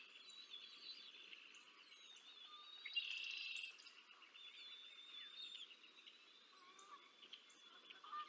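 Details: Bald eagles at the Decorah North nest on 20 April 2024, adult female feeding two eaglets: high, thin chirps repeated rapidly, with a brief louder buzzy burst near the middle and faint background birdsong.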